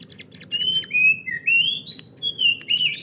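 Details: Caged hill prinia kept as a master bird for training other songbirds, giving clear whistled, slurred notes that rise and fall in a flowing phrase, preceded by a short burst of rapid dry notes.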